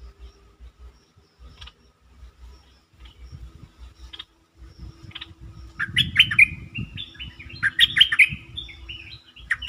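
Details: Bulbul song used as a lure to excite birds. After a faint, sparse opening, bright warbled phrases with quick slurred and rising notes burst out over the last four seconds, above a steady low rumbling background.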